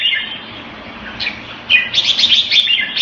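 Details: Jambul, the red-whiskered bulbul of the bird hobby, opens with a faint warbled phrase, falls quiet for a moment, then breaks into a loud, rapid run of chirpy whistled notes.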